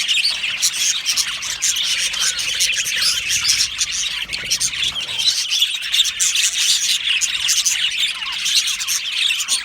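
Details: Australian budgerigar colony in an aviary, many birds chattering together: a steady wall of bright, high twittering chirps and warbles, unbroken throughout, with faint low rustling underneath.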